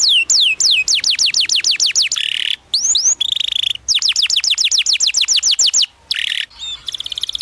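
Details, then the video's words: Canary singing a long training song for young birds: loud series of fast downward-sweeping whistles, about four per second, broken by buzzy rolled trills and short pauses. "PANCINGAN Kenari GACOR PANJANG Cuit Cuit EMOSI‼️ MASTERAN Kenari PAUD belajar BUNYI"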